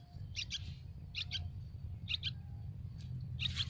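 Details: Baby Yellow-vented bulbuls begging for food in their nest on a tree: four bursts of sharp, high double chirps about three quarters of a second apart, over low steady background noise.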